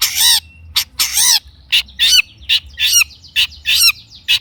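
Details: Long-tailed shrike song used as a lure to make other shrikes sing back, with rough nasal squawks and raspy bursts delivered about once a second, some with downslurred tails.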